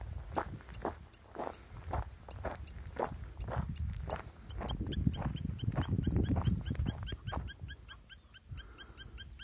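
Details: Spur-winged lapwing (Vanellus spinosus) gives sharp, clipped notes about twice a second, then a faster run of thin high ticks, over heavy low wind rumble.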